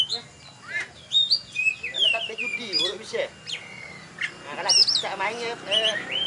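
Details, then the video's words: Oriental magpie-robin (kacer), a contest-winning bird, singing at a bird singing contest in Tebas: a varied run of sharp whistles, rising and falling slurred notes and buzzy chatter, with faint voices in the background. "Video Kacer Juara Di Tebas Habis NgeGantang"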